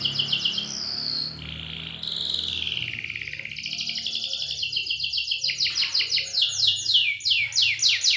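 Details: Canary lure song, a long clear roll used to get young canaries singing: a whistled descending slur, then a buzzy rolling trill, then loud rapid pulses of steep falling notes, repeated quickly with rising intensity.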